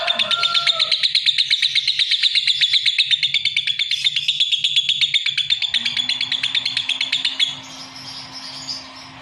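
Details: Lovebird song: a long run of quick, high chirps repeated rapidly for about seven seconds, then fading into softer twittering and a faint steady hum.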